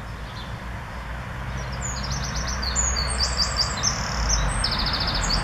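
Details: Courting male Eurasian wren, Northern Germany, 2 July 2017, advertising his ivy nest to a mate; high, rattling trills and quick chattering phrases run steadily after a brief pause, over a low rumble of distant traffic.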